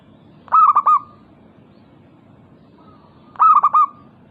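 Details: Local zebra dove singing to make rival doves answer. Two matching phrases about three seconds apart, each a rapid trill of clear, ringing coo notes trailing into a short held tone, over quiet background.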